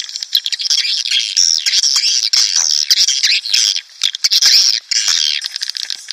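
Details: Lure sound for attracting breeding swiftlets and colonies into a swiftlet house, a dense unbroken chatter of harsh high twittering and buzzy squeaks with brief dips, several birds calling together.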